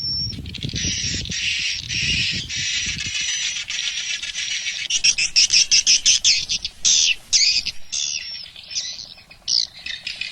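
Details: Swiftlet call test for a swiftlet house, an original recording imported from Malaysia: a steady wash of high, buzzing chirps that breaks into separate sharp twittering notes, with low rumbling at the start.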